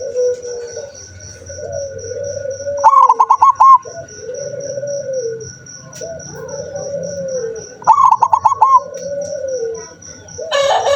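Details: Recorded 7 November 2023, a seldom-singing zebra dove gives two fast bubbling coo runs about five seconds apart, with arching low hoots between them, a constant pulsing high tone, and a burst of noise at the end.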